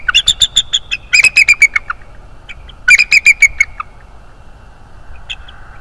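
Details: In the early morning at the nest, a bald eagle gives rapid runs of shrill, piping notes that step downward, two separate bursts, then a single faint note near the end, recorded by a live nest camera.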